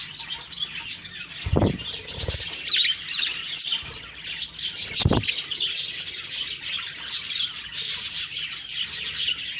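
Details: Budgie chirping on the morning of October 2, 2023: dense, high twittering and squawks from several birds, broken by a few dull thumps, likely from movement, near the start and middle.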